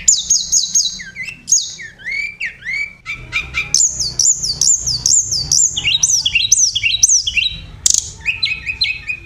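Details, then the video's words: Oriental magpie-robin in a training recording of lively 'gacor roll tembakan' contest-style song: rapid high whistled notes, sweeping slurs and repeated chirps in quick bursts, with a faint low hum beneath. "mp3 masteran untuk kacer gacor roll tembakan mewah paling disukai juri"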